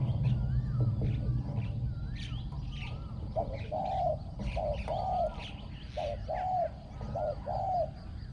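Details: Spotted dove used as a ground decoy bird, said to have a small ringing voice and fine cooing. A run of soft, hollow coos in quick pairs arrives after a few seconds of small bird chirps and low background rumble.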